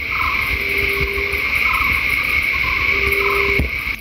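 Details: Asian emerald dove near Vagamon, Kerala, during the Great Backyard Bird Count, hidden in vegetation and rarely sighted, giving two low, steady, conch-like hoots about a second long under a loud cricket drone with faint other birds.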